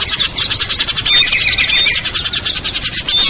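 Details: Lure recording of small birds including ciblek, kutilang, trucuk, sogon and perenjak, made to bring shy birds down: fast, pulsing chirps in quick succession forming a bright, rhythmic twitter with a few sharp whistles.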